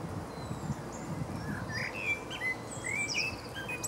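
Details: Male blackbird recorded in April 2015 in Berlin, Germany, delivering short warbled, slurred whistles followed by faint high scratchy flourishes over a constant low hum of distant noise.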